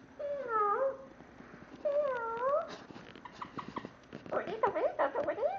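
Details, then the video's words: Pet parrot, female, caged, giving two long sliding cat-like meows, then a busy run of clicks, chatter and short meow fragments, and a voice speaks after. "Parrot meowing in portable cage"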